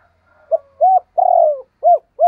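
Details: Spotted dove coo meant to lure wild doves into answering: one full phrase with a soft lead note, a rounded coo, a long vibrating coo sliding lower, then two clear coos, over a faint steady hum.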